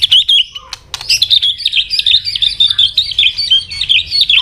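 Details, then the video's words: White-rumped shama fighting song meant to provoke a rival, a double-note tail-clicking style: rapid high whistled and trilled notes in a dense run, briefly broken by sharp clicks near the first second. "chòe lửa tạch đuôi âm kép kích lửa hiệu quả.dìu lửa chuyền mùa 2 hót đấu lên lửa cực nhanh"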